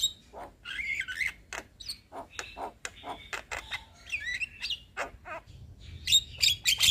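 A young Javan myna sings a busy, varied medley of harsh squawks, clicks and slurred whistles, delivered in rapid bursts with short pauses.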